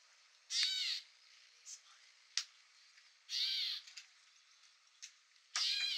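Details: Gray Catbird at Newman Lake, Washington, USA, giving harsh, nasal, downslurred mewing calls, about half a second each, spaced a few seconds apart with faint clicks between them in an otherwise quiet setting.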